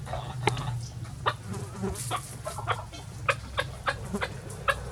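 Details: Chickens of different breeds free ranging on a farm on a sunny day, with short sharp clucks spaced irregularly about a second or less apart over a low background rumble.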